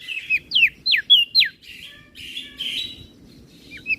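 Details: Crested white-eye of Flores in master-training song: several loud, steeply falling whistled notes repeated quickly, then a rougher, buzzier stretch and two short closing whistles, with low background rumble.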